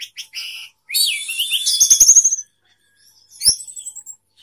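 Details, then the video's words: Orange-headed thrush, tail spread, in intense locked-in sapu jagat singing: quick high chips, then a loud burst of rapid trilled, rattling notes about four per second, a pause, and a final twittering run. "anis merah sapu jagat, buka ekor"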